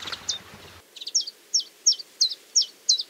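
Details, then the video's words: Male common chiffchaff singing all day from morning to evening in hot weather near mid-July by a small river: a steady run of high, clipped, slightly falling notes, about three per second, after a brief low rumbling noise. "почти скоро середина июля и вон весь день поёт с утра до вечера самец теньковки"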